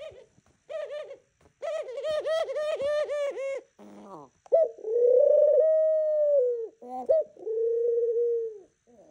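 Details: Morning cooing from a pet dove kept indoors: rapid bursts of rhythmic throbbing coos about four a second, a low rasp, then long smooth held notes alternating with short clipped ones.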